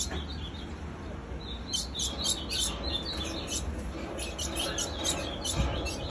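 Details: Ultramarine grosbeak female calling without pause: quick high chips, about four per second, irregularly spaced, against a low background hum.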